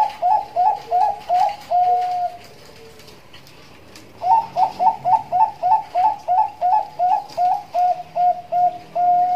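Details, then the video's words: Nduduk ngitit song of a Bangkok-type zebra dove, a lure and training recording: a short run of bubbling coos closing on a held note, a pause, then a long steady series of about fifteen quick rolling coos. "Suara Nduduk Ngitit Burung Perkutut Bangkok"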